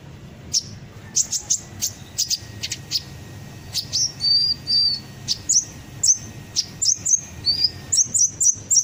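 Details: Kolibri ninja sunbird lure sound used to make birds sing along: rapid high chirps and short thin whistled notes in fast irregular bursts, some slightly descending, with a steady faint hum beneath.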